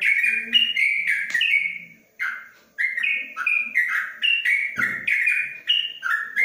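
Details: Yellow-vented bulbul kept in a covered cage gives a long ropelan song, a rapid chain of bubbly, slurred whistles stepping up and down, broken by one brief pause midway.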